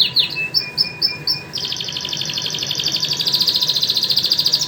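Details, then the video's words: Pet canaries, a white bird and a crested bird, singing: a few spaced sweeping notes, then a continuous high rolling trill that grows louder and faster toward the end, with a low steady hum underneath. "White canary and crusted canary are signing very nice"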